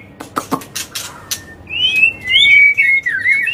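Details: White-rumped shama in agitated non-stop song meant to provoke other birds; sharp clicks and chips open the phrase, then a run of clear gliding whistles rising and falling.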